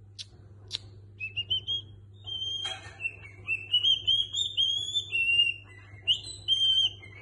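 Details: Pet cockatiel singing imitated songs such as La Cucaracha and a Niko Pandetta tune: a long run of clear, sustained whistled notes stepping up and down in a melody, with a couple of clicks at the start and a low background hum.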